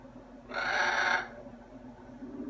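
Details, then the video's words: Talkative pet macaw indoors gives a single harsh, raspy squawk lasting under a second, then only faint room noise. "Talking Parrot"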